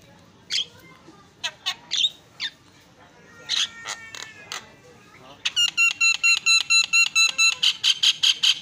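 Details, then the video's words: Javan myna used as a tutor recording for training songbirds, said to call back and forth. Harsh rasping notes open, then a loud run of rapid, evenly spaced harmonic chattering notes, about two per second, building steadily. "FULL MASTERAN KICAUAN JALAK PALING YAHOOD"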